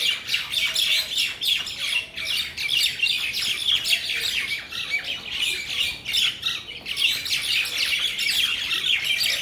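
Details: Steady noisy chatter of mynas in a Bangladeshi village: many harsh squawks and chirps crowd together in pulsing waves without a pause.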